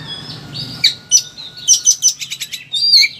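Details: Caged Oriental magpie-robin in agitated mood sings thin whistles followed by a fast run of sharp repeated chips and a final slurred note, used to stimulate silent birds.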